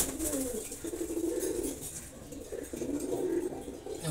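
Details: Silver Gola pigeon pair kept indoors, cooing in low rolling phrases with several pulsing coos that rise and fall, brief pauses between bursts, faint room noise and light clicks behind.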